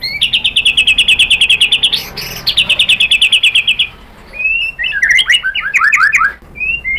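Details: White-rumped shama singing to lure other shamas into song: rapid even trills of bright chips repeated about three per second in runs, then a looser phrase of varied sliding whistled notes.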